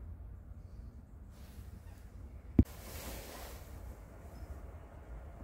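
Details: Low wind rumble runs throughout, broken by a single sharp knock about halfway through, with no animal voice.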